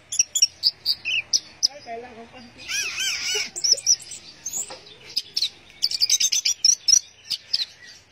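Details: Teler-style song of an Orange-headed thrush, with clusters of sharp high chirps and buzzy trills broken by a brief low voiced sound midway, then more rapid chattering notes.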